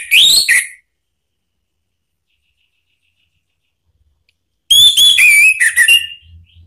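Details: Anis merah, the orange-headed thrush, singing a provoking lure phrase: a short rising whistled note, a long silence, then a dense burst of high fluty whistles falling and wavering in pitch.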